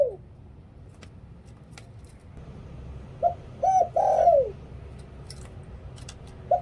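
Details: A decoy spotted dove sings lio tan style to draw in wild doves. One clear three-note coo ends in a long downward slide. A faint earlier fragment, soft clicks and background hiss are also heard.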